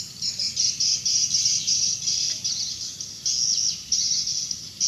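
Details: Evening swiftlet activity before the birds enter their nesting house: dense high twittering chirps in long rolling bursts with short pauses, over a low steady hum.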